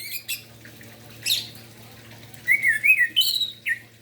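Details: Morning song of an orange-headed thrush, used to spur silent birds into singing: short high chips and a scratchy burst, then a run of sliding whistles rising and falling, over a steady low hum.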